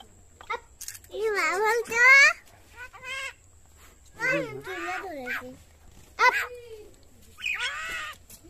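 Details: Common myna speaking in human-like phrases, said to be 6 months or 9 years old; bursts of stacked, curving harmonic syllables separated by short pauses.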